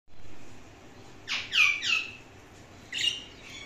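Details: An Indian ringneck parakeet in a quiet indoor room gives a burst of three harsh, high chirping squawks in quick succession, then a single shorter chirp after a pause.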